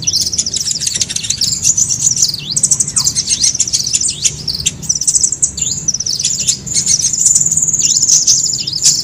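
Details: Sunbird (kolibri) lure sound meant to draw birds together: a dense, very high, sibilant chatter of fast buzzy trills and quick chirps, nearly continuous with short pauses, a faint low hum beneath.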